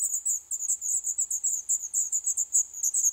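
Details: Black redstart chicks in a nest built in an old stove pipe of a building set for demolition in Poland, day eleven; loud, shrill high-pitched cheeps pouring out in a dense, steady stream.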